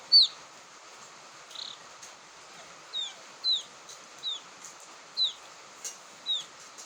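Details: Irregular high, downslurred peeps from a young quail, a call used for luring, scattered through the recording with uneven gaps and a few soft clicks.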